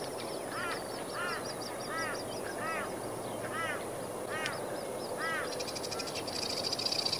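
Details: Plumed whistling duck with young, seen along Priors Pocket Road near Moggill, Queensland. Short arched, whistled calls repeat about every 0.7 seconds over a rapid high ticking series and steady background hiss.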